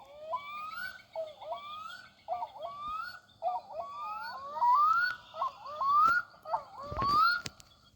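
A diving duck gives a run of wailing, whistled calls, each rising sharply and then levelling off, repeated about once a second. A faint background hum is also present.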